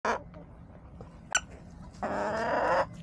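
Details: Backyard hens on a chicken camera, recorded March 24, 2024: a brief cluck, a sharp knock, then a drawn-out harmonic squawk lasting nearly a second over a steady low background hum.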